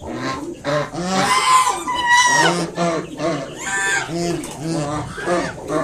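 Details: Guarding her five newly hatched cygnets, a mother swan honks repeatedly at someone approaching; many short, harsh, nasal notes tumble out rapidly, roughly two per second, with a few longer strained calls.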